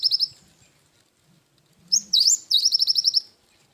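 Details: Cinereous tit singing a lively training song in the wingko style: high, sharp whistled notes, then a fast run of about nine clipped repeated chips; a faint low hum underneath.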